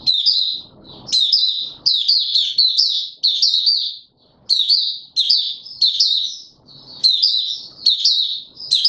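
A white-eye sings a fast, continuous run of high, sweet twittering phrases, each about half a second long, with little pause between them.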